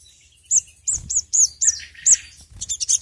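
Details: Sogon lure song made of sharp high arched chirps, spaced about a third of a second apart, closing in a quicker rattle of thin notes.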